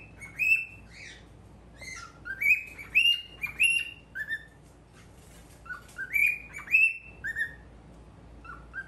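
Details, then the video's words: Pet cockatiel, a normal-colored male, calling in front of a mirror: bright chirped whistles near mid-high pitch, each sliding up or down, given in quick irregular bursts of two or three with short pauses between. "鏡とちくわ♂ Mirror and Chikuwa♂"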